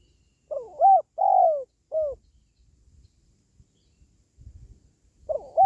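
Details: Spotted dove call, played to lift the spirits of pet doves or to lure wild doves. Three low, hollow coos, the middle one longest and rolling, then a pause before the phrase begins again; faint low rumbling between.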